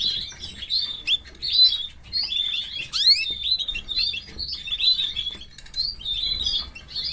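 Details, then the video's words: Canary chicks in captivity being fed by their mother: dense, high thin cheeping around 4k, rapid overlapping squeaky notes in continuous bursts with a few sharp upward sweeps. "female canary is feeding her chicks"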